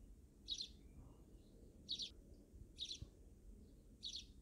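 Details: Backyard sparrows heard in the wild, four crisp high chirps roughly every second, each a short clustered note, against a quiet low background rumble.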